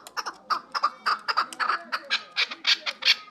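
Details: Chukar partridge from Kabodiyon district, a bird offered for sale, calling in a busy stream of raspy, chattering notes that grow louder and higher toward the end, with faint murmur beneath.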